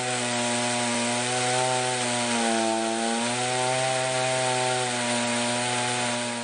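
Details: A loud, continuous buzzing drone with bending tones, like a chainsaw or power tool; no animal voice stands out.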